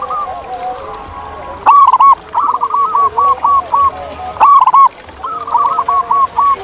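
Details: Local zebra dove singing in the wild: loud bursts of quick arched cooing notes, a rolling opening phrase followed by a string of about five shorter coos, repeated twice, with other doves cooing softly behind.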